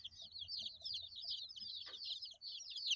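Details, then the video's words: Baby chicks eight days old peeping steadily, a flock of thin, high, falling notes packed closely together, with a faint low hum and one brief click in the middle. "Chicks Chirping Sounds - Baby Chicken Sounds"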